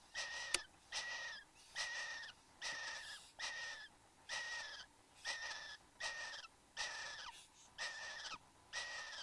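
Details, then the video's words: At their bower in Australia, a male and female satin bowerbird on a November 2014 morning give rhythmic rasping wheezes, each holding a flat whistled tone that slurs downward, roughly every second. "Satin Bowerbird"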